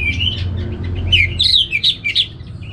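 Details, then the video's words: Short burst of song from a caged Orange-headed thrush in Singaraja, Bali: clear whistled slurs rising and falling, then a run of bright, quick notes, with a low hum underneath. "ANIS MERAH Langsung Gacor Nyaut Joss"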